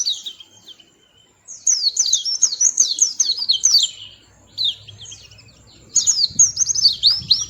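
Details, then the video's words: Sweet-voiced little white-eye delivers two long runs of high, rapid, wavering twitters separated by a short pause, with faint low rumbling in the background. "Tingkah Lucu Burung Kecil Pleci Bersuara Merdu"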